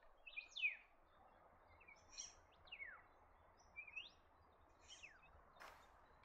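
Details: Black-faced Monarch in eastern Australian forest giving clear, downslurred whistled notes, one roughly every one to one and a half seconds, over a steady background hiss.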